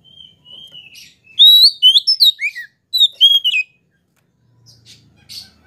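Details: Oriental magpie-robin, a kept bird used to provoke other magpie-robins into singing: soft scratchy notes, then a loud burst of sweet whistled notes rising and falling in quick succession, then fading quiet.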